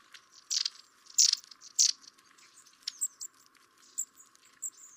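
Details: A pair of long-tailed tits visiting garden feeders in winter give three short, sputtering, high bursts in under two seconds, then thin, very high single notes scattered over the next few seconds.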